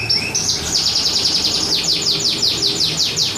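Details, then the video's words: Canary, a champion contest bird singing at a competition: a long, steady, high trill of rapid downward-sweeping notes repeated about two to three per second, opening with a few held whistles, over a busy background hum. "Kenari Voltage juara andalan"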